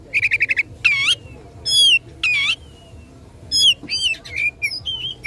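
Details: Oriental magpie-robin kept in a cage, singing aggressively at rivals: a quick series of six clipped notes, then loud looping whistled phrases separated by short gaps, ending with softer sliding notes over low hum.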